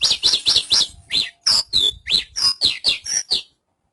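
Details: Dense phrase of bright, high chirps and downslurred whistles from a Javan bush lark, around a dozen notes in quick succession before stopping.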